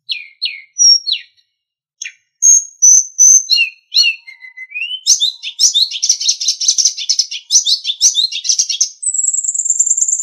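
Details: Sulingan song used as a master recording for training captive songbirds: separate high chirps, then whistled slurs and a low rising note, then dense, rapid twittering phrases ending in a steady high trill.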